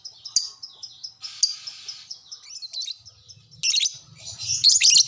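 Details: Lovebird answering another lovebird right after being prompted, giving a dense, buzzy high chatter with sharp squeaky bursts that build into a loud, shrill twittering rush near the end.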